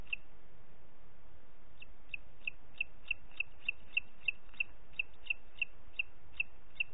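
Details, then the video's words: Booted eagle, Parc Natural dels Ports, 30 June 2021 at 11:01: after a quiet start, a long run of bright, high, short notes, about three each second, continuing steadily to the end. "Àguila Calçada"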